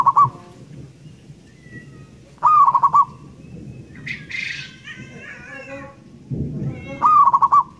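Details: Local zebra dove in full, loud song: three trilled phrases, each a quick pulsing burst of beats that ends in a held tone, spaced a few seconds apart. Between phrases, a harsh squawk and a low rumble of background noise.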